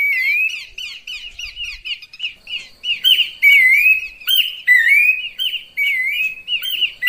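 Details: Horsfield's babbler (pelanduk semak), played as a lure call, giving bright, slurred whistles in quick repeated phrases, each with a rising-falling, slightly buzzy edge.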